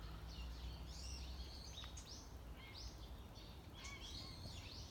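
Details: ['Wild birds singing unseen in a morning landscape: several overlapping high chirps and short sweeping whistled notes, some arching downward, come in quick bursts over a steady low rumble of background noise.']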